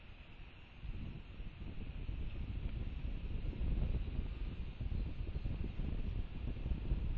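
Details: Gusting wind buffets the microphone as a low, rushing roar that swells and falls, and no animal calls are heard.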